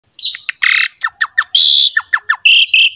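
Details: Asian pied starling singing, meant as a master recording to get a quiet kept bird singing: short descending whistles and harsh buzzy bursts alternate in a fast, irregular sequence of about a dozen phrases.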